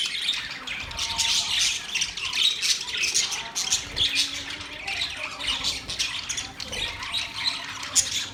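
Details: Budgies in a group produce continuous high-pitched twittering: scratchy squawks, short whistles and chirps crowding over one another without break for the whole stretch.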